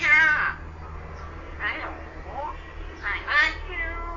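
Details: A common hill myna under a year old talks in short voice-like bursts, about four phrases in four seconds, with clear harmonic tones and quiet background hum.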